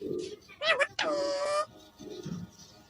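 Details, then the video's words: A pet Alexandrine parakeet, a friend's bird, said to be talking and saying "miyan mithu". It gives a short nasal squawk, then a longer harsh rasping note with rich overtones. Faint music plays in the background. "talking raw parrot || miyan mithu"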